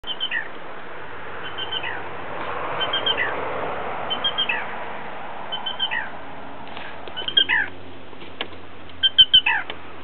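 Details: Black Rail giving its typical three-part call to chicks in a freshwater marsh at Martin Griffin Preserve, California, July 6, 2008: sharp, high three-note phrases dropping in pitch, about every 1.5 seconds, from very close but unseen, over a steady low hum.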